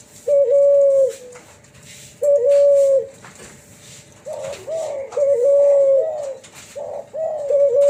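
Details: Cuhu Kelantan, a first-generation hybrid of a Kelantan spotted dove and a tangerine ringneck dove, giving its flute-like 'suling' voice indoors: steady, smooth, mid-pitched coos, each about a second long, repeated every one to two seconds, with faint background clatter.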